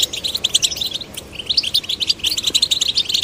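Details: Male and female goldfinch chicks singing after encouragement: bursts of bright, high chirps in quick clusters, with a short lull before twittering resumes.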